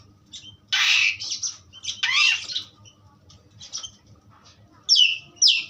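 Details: Asian pied starling, offered as a strong tutor recording, producing loud broad harsh squawks and a descending raspy phrase separated by near-silent gaps, ending with two short high squeals; a low hum sits underneath.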